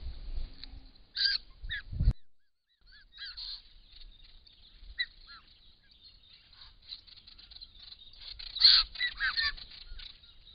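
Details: Group of wild white-winged choughs at a pond in Australia, filmed by camera trap while drinking and displaying: scattered short, descending piping calls, building to a busy cluster of overlapping calls near the end, with a thump early on.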